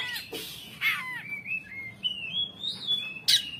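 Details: Recently caught Oriental magpie-robin in pletik song, giving a few sharp chips followed by long, smooth whistled glides that rise and level off, ending on one harsh burst.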